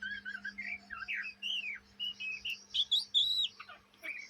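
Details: Chattering practice song of a young Oriental magpie-robin in Indonesia, sung day and night: rich slurred whistles rising and falling, a few buzzier notes, phrases coming in quick succession.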